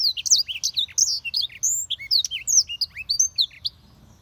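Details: Black-throated canary singing a lively, fast sequence of high chirps, sharp upswept and downswept whistles and short trills, nearly continuous for almost four seconds, low hum faintly behind.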